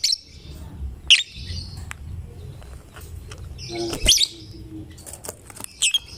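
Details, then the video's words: Chatty fighter-type lovebird, a bird meant to prompt any other lovebird into singing, giving three sharp, shrill, buzzy chattering bursts roughly every one and a half to three seconds over a low steady background hum. "Lovebird GACOR Fighternya Memancing LB manapun Ikut Bunyi"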